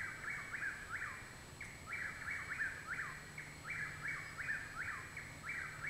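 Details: Possibly three Chuck-will's-widows singing behind a home in Parkersburg, West Virginia, on 21 June 2019, overlapping in rapid whistled phrases, each rising then dropping, repeated without pause, over a low steady hum and faint high insect tones.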